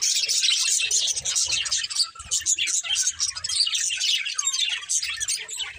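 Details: Several pet budgerigars in a family group keep up busy, high-pitched twittering and squeaky warbling without pause, with faint low murmuring underneath.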